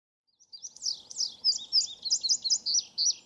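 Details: Male Indigo Bunting singing near wetlands between Keene Valley and Keene, Essex County, New York, on 16 July 2018, about twenty minutes after sunrise: a bright, high-pitched run of paired, sweet notes, quick and slightly buzzy, over faint low background noise.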